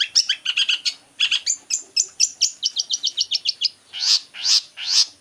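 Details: Long-tailed shrike, the skilled mimic called pentet, strings together quick sharp chirps in a steady fast rhythm. The song then shifts to three louder, fuller, buzzy bursts spaced about half a second apart.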